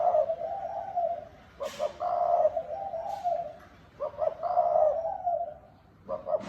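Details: Low hollow coos from a spotted dove in 'thúc bổi' cooing style. Each phrase has a pair of quick notes and then a drawn-out purring tone, repeated roughly every two seconds.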